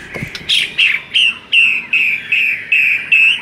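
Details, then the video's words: Training recording of white-rumped shama song to lift a reluctant singer's mood: a steady series of about eight loud, clear whistled notes, each with a slight downward slur, repeated roughly every 0.4 seconds. "MASTERAN UNTUK DONGKRAK EMOSI MURAI BATU YANG KURANG GACOR"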